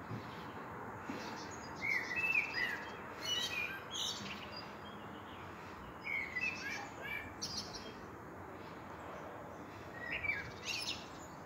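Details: Blackbird song at sunset: several loose fluting phrases with scratchy high twitters, spread irregularly across the stretch against a constant rushing background noise.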